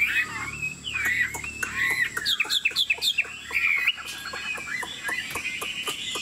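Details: Tame caged Chinese Hwamei performing with wing play and nodding head while singing: looping, slurred whistles and quick upswept notes in bursts, broken by loud clicking knocks throughout.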